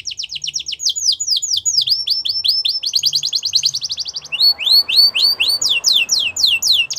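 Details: Yorkshire canary song meant for training young canaries: rapid trills of repeated high sweeping notes, around four per second, shifting into faster rolling phrases, then louder downward-slurred notes, with faint low hum beneath.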